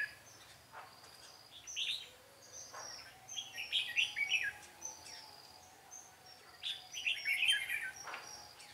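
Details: Decoy red-whiskered bulbul in a singing duel at a trapping site, 13 March 2017: clusters of quick, liquid whistled phrases recurring every couple of seconds over a thin high droning tone and faint insect-like buzz.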